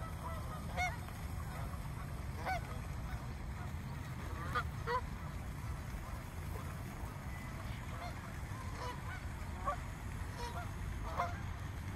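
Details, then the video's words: Frightened swans, more than a hundred in a small park, give scattered honks every second or two, some doubled, against a constant low hum. "Flock of frightened swans"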